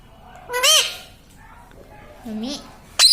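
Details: Pet parrot indoors saying "mummy": two short, clear, arched vocal syllables about two seconds apart, the first louder, in an otherwise quiet small room.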